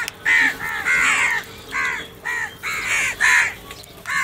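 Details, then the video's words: Crows fighting over food, a series of harsh, hoarse caws in quick bursts, about eight calls in four seconds, each slurred downward, with faint background noise. "crow fighting scenes video | crow sounds naturally"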